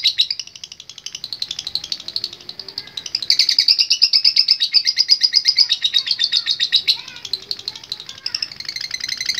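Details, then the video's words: Lovebird ngekek: a shrill, fast chattering trill that starts softer, swells loud through the middle and keeps going for over nine seconds, with faint background noise beneath. "Love Bird Gacor Ngekek Panjang"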